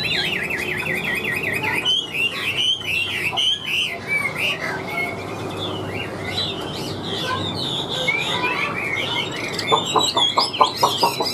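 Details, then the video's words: A wild-caught Chinese hwamei pours out a loud, varied song of rapid warbled trills, rising whistles and sharp repeated notes, ending in a quick run of clipped chips. "Họa Mi Chơi Cánh, Đuôi Lá Vả - Hót Hét Tốt Giọng Căng"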